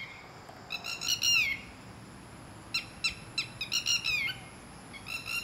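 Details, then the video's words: Red-wattled lapwing, part of a garden-dwelling pair loud and aggressive toward anyone coming close; strident, rapid notes in bursts ending in a down-slurred note, over a faint steady high tone. "Red wattled Lapwing Call"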